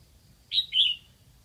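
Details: Lạng Sơn decoy red-whiskered bulbul luring wild birds; one crisp two-note whistle, a short bright note then a drawn-out downward-sliding one, set over a faint steady high tone and low murmur.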